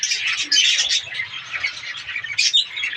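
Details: Many caged budgies in a breeding colony chattering together, with rapid scratchy warbles and sharp chirps and a louder burst of squeaky notes toward the end.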